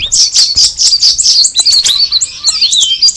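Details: Straw-headed bulbul opening with loud clustered chirps, then high slurred whistles, some dropping in pitch, over a continuous twittering background.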